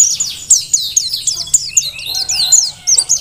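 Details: Vigorous singing from a Merapi-type mountain white-eye, used as a master recording: bright, high slurred chirps tumbling quickly together in a brisk, unbroken twitter.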